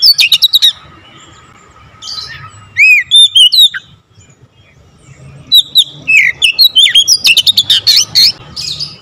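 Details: Full varied singing from an Oriental magpie-robin. A rattling burst opens, then come looping whistled slurs after a short pause, and dense rapid chirps and trills build toward the end. A faint low background hum is audible.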